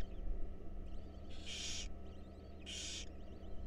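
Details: Wild barn owl owlets in a nest box during a meal, two loud hissing screeches over a second apart with thin high wavering chitters between them, steady low hum beneath.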